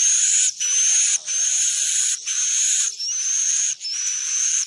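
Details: Swiftlet lure sound for attracting birds to roost: loud, buzzy rasping bursts about a second long, each carrying a high thin whistle that sometimes rises at its start, with brief silent gaps between.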